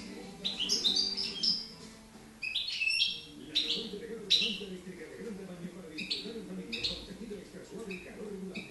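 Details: Girona goldfinch from 2013, a young bird just beginning its song, gives high scratchy twitters and clipped whistles in uneven phrases, with a soft talking voice in the background.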